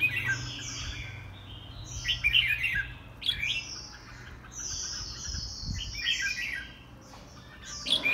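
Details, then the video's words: White-rumped shama singing during a home bird contest, with drawn-out descending whistles punctuated by sharp chattering bursts and clicks, over a low steady hum. "Giám khảo chích choè lửa"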